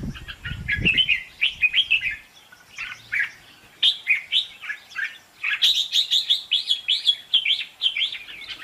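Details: Red-whiskered bulbul in a singing contest, used as a trapping decoy: quick liquid whistled phrases, rising and falling, delivered in bursts with short pauses, after a few low thumps at the start.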